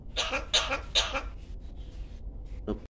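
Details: A Javan myna mimics human speech, repeating "Assalamualaikum" and "Jokowi", in a rapid, raspy burst of several harsh syllables, then a brief pause and one final short note.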